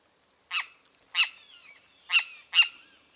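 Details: Great kiskadee (Pitangus sulphuratus) giving four harsh, buzzy single notes at irregular intervals of about half a second to one second, with faint high twitters in between.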